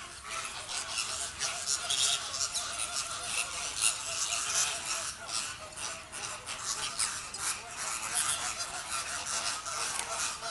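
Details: Inca terns at feeding time in Avifauna bird park, Netherlands. A crowd calls at once: a dense, harsh, overlapping chatter of high squawks and cackles, with no clear pause or rhythm.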